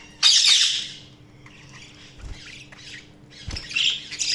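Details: Budgies chirping: one loud harsh squawking burst, then soft scattered twitters with a couple of low knocks, and a renewed buzzy chatter at the end.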